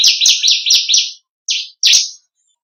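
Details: Bar-winged prinia, or ciblek kristal, in a training-song variation for songbirds: five rapid, run-together buzzy chirps, a short gap, then two single harsh chirps.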